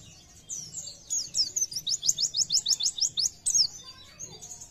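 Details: Oriental white-eye delivering a nembak burst while gacor: about a dozen evenly repeated, very high, rising slurred notes rattled off in under three seconds over a background hiss.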